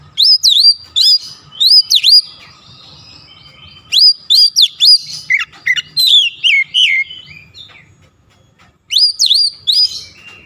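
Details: Oriental magpie-robin song, played to restore lazy birds to singing. Sharp, clear whistled phrases with quick rising and falling notes come in dense bursts, with brief gaps near four and nine seconds. The background is quiet.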